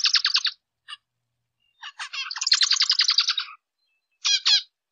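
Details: Zebra finch: a short burst of buzzy notes, a lone chip, then a longer rapid rattling phrase of harsh stacked syllables, ending with two nasal upslurred calls after a pause.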